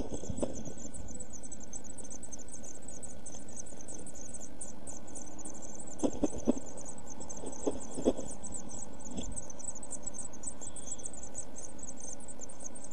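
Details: Eurasian blue tit chicks aged one week in a nest box, June 2014: continuous dense high chittering, broken by several dull knocks and thumps from movement in the box, over a low hum.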